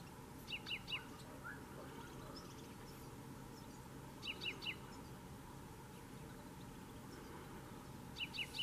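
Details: Canary Islands chaffinch, Fringilla coelebs canariensis, at Fontanales, Gran Canaria, in June: short bright phrases of three or four quick descending notes, repeated about every four seconds over a steady low rumble of background noise.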